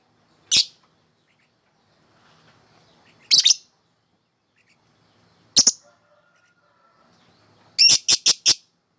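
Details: Singing lovebird, kept as a training model for other birds: single shrill chirps spaced a few seconds apart, ending in a rapid series of four or five sharp chirps.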